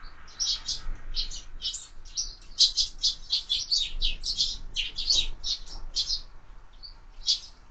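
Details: Sparrows feeding at feeders fixed to a window: a steady run of clear, sharp chirps, each short and bright, repeated in quick succession with brief gaps, over quiet background.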